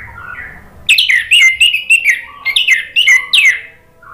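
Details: Orange-headed thrush song played to prompt a non-singing bird to sing. After a quiet low warble comes a rapid run of loud, high, sweeping whistles and chattering notes, closely spaced for about three seconds.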